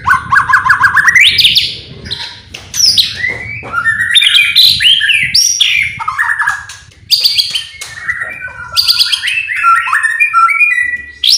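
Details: White-rumped shama song meant to provoke other birds into singing: a loud, varied stream of rising whistles, rapid rattling trills, sharp chips and swooping phrases, delivered with barely a pause for over eleven seconds.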